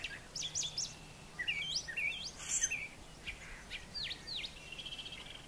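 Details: Morning song of a brown thrasher on a farm yard: high thin notes, then short rising and falling phrases, ending in downward swoops and a sustained buzzy note.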